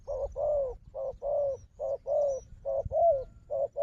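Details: Wild dove noted for fighting, calling toward a decoy dove: rhythmic paired coos, short note then longer rounded note, repeated about five times in under four seconds.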